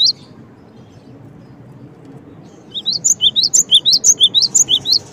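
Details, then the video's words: After a quiet stretch, a cinereous tit (gelatik batu) bursts into a rapid series of bright, high, bouncing chirps, evenly spaced about five per second. "suara gelatik batu"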